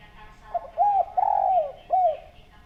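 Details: A gacor spotted dove with a clean voice, recorded to serve as a lure, gives a soft phrase: a brief note, a rounded coo, a long falling coo and a closing short coo, with low background hum.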